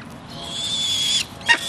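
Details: A two-week-old Barbary falcon chick, being fed by a one-year-old imprinted gyr x peregrine female, gives a thin, high, wheezy note held about a second, then one short sharp squeak.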